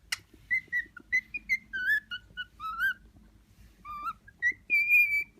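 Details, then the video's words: Six-month-old male pet cockatiel, newly sexually mature, singing in courtship to an uninterested female: a run of clear whistled notes, some rising and some falling, ending in a long, steady, high whistle. "Cockatiel sings to another cockatiel"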